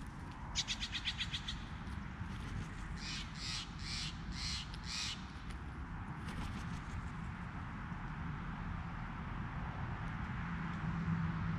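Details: Crows calling: a quick run of harsh, rasping caws near the start, then a second series of about five evenly spaced caws midway, fading out after; a constant low rumble of background noise throughout.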